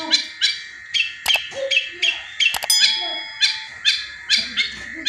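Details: Long-tailed shrike (cendet) singing in a loud 'tembakan' style, used as a lure to get other caged birds singing; harsh, buzzy bursts of bright chattering notes repeat about every half second, with sharp clicks in between.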